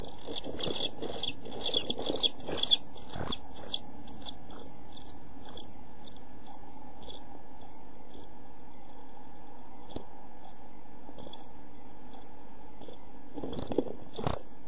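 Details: Nestling European pied flycatchers aged 11-12 days, nearly ready to leave their nest box, June: a loud crowded burst of high shrill begging, then thinner short high notes repeated roughly every half second, with soft bumping noises.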